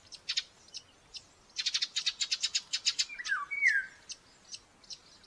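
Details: A nestling common buzzard, aggressive during breakfast feeding at the nest in Tiszalök, Hungary, on 5 May 2024, gives rapid, thin, high chipping notes in bursts, then a short, squealing, downslurred mew midway through.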